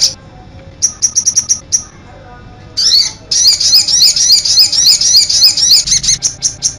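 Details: Sogon bird in 'cit anten' style: short bursts of sharp high chirps with a pause in between, then a long rapid train of shrill repeated notes, and a faint low hum beneath.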